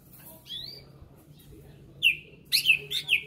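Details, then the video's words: Caged greater green leafbird of Berau origin, readied for a bird singing contest, sends out a rising whistle followed by a burst of rapid, sharp falling notes, loudest at the end. "Cucak Ijo Berau 'MAJO' persiapan gantang"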